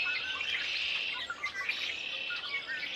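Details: Red-winged blackbirds singing in spring in a yard, loud in the background: a dense, continuous chorus of overlapping chirps, squawks and buzzy trills from several birds, with no pauses.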